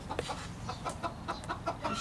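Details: A bantam hen, a broody sitter scared off her nest, gives a run of short, soft clucks, several per second, over a low background rumble.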